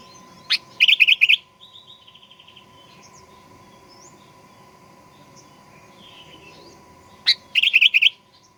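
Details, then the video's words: Sooty-headed bulbul played to provoke birds into aggressive singing: two short bubbly, warbled phrases of rapid liquid notes, each led by a sharp click, separated by a quiet gap with faint soft twitters and a steady low hum. "Kicauan Kutilang Pikat Gacor Fighter"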